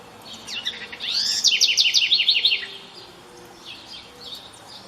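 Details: House wren singing in the wild at daybreak during rain, giving one rich song of high, quick notes. A rising opening sweep leads into a fast, evenly pulsed chattering trill lasting over a second, then soft distant chirps.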